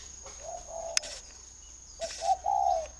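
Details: Captive spotted dove from a breeder in Ba Vì, Hanoi, northern Vietnam, cooing twice. Each phrase is a short low note followed by longer hollow, slightly wavering coos, about one and a half seconds apart. A single sharp click and a constant high-pitched hum are also heard.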